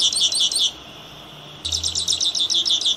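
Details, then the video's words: Misto, or grassland yellow finch, delivering two bursts of rapid high-pitched trilled notes, about four per second within each burst, separated by a short quiet gap. "Misto Cantando / Canario Tipio."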